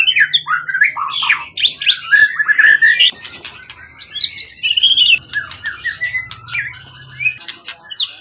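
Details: Accomplished forest-caught contest bird with a tail beyond 20 cm, steady and long-kept, in strong song: loud rich whistled phrases sweeping up and down, interspersed with clicks and chatter, ending in higher slurred notes.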